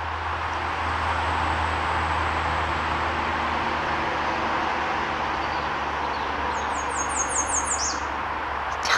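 An American redstart gives a brief, very high, thin series of about six quick notes ending in a sharp downslur, nearly buried under a steady roar of wind or traffic.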